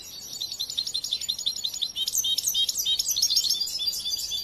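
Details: Bright, liquid twittering from a young European goldfinch still being trained: quick chirps that become a louder run of clear, rising and falling whistled phrases in the second half.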